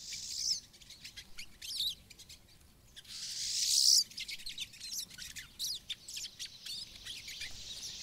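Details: Pine siskins in Maine's boreal forest give high, sharp chirps and twitters. A rising buzzy wheeze swells after three seconds, followed by a steady stream of quick thin notes.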